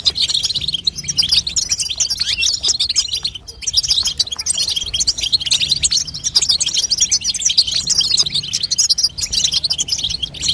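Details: Female European goldfinch calling to encourage a young goldfinch to sing: a dense, nonstop high twittering of quick tinkling notes, rapid and bright, running through the whole stretch without pause.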